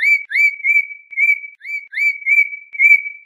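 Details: Audubon's oriole delivering a run of clear, slightly rising whistled notes near the same pitch, each with faint overtones, repeated roughly every half second in a quiet setting.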